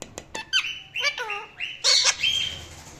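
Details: Indian ringneck parrot calling and chirping indoors: a quick series of harsh, buzzy squawks and bright chirps, some with falling and rising tones, coming in bursts with short pauses.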